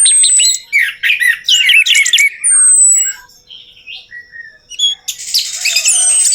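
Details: Orange-headed thrush lure recording for a bird that will not sing: jumbled, scratchy warbling with harsher notes, a long thin high whistle, a quieter stretch of soft scattered notes, then a renewed dense, rasping burst.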